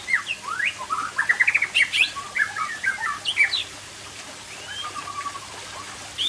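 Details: White-rumped shama of the Aceh type singing in the afternoon: a rapid, varied run of sweet whistles, upslurred notes and sharp chips, dense at first, then thinning into scattered phrases.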